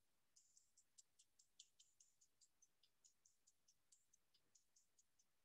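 Wing-snapping Cisticola: a rapid series of thin, high, sharp notes and clicks, about four or five per second, with soft background hiss.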